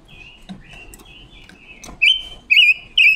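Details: Female decoy red-billed leiothrix singing a wild-forest style song, used to train other birds' voices and lure them for trapping, October 2021; faint high whistled notes, then three loud bright warbled whistled phrases about half a second apart near the end.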